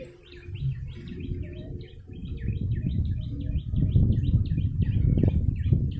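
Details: Yellow-bellied prinia, used as a bird-luring recording: a rapid run of short, sharp chirps, about three to four each second, over a constant low rumble that grows louder partway through.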